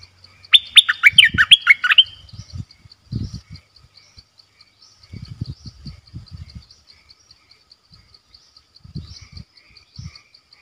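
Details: Bulbul kept as a decoy bird, recorded 18 December 2021: a brisk burst of sweet whistled, chattering notes over about a second and a half, then low thumps and scattered faint knocks, with a steady high ticking throughout.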